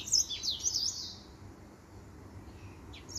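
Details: Singing male finch: a fast, high twitter of bright chirps lasting about one second, then near quiet, with a single note and the start of another phrase at the end.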